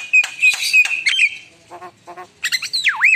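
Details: Energetic Javan myna song in gacor style: grating squawks and whistles, a short lull with soft low notes, then a swooping whistle that dips and rises again.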